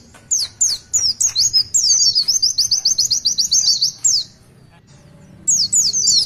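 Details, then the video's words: Oriental white-eye singing the long 'tulitwitwit' song: a few spaced sharp whistles, then a dense run of rapid high chirps, a pause, and another short burst of twittering notes. "Tulitwitwit panjang pleci Gacor"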